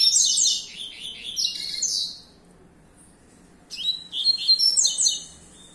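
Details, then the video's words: Young captive-bred lined seedeater, reserved for breeding and song competition, singing a fast, high, buzzy twittering phrase of about two seconds, then a pause of about one and a half seconds, then a second twittering burst. "COLEIRO SUSPEITO JR"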